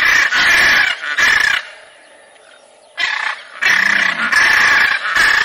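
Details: Macaw screeching in long, grating, broadband squawks, a run of harsh cries, a quiet gap of about a second and a half, then more rasping screams.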